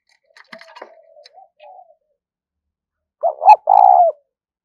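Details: Spotted dove lure call for trapping, in the 'thúc rút' style. Faint clicks and soft low notes come first, then one loud phrase: two quick hooked notes leading into a long, rolling, burry coo that falls away at the close.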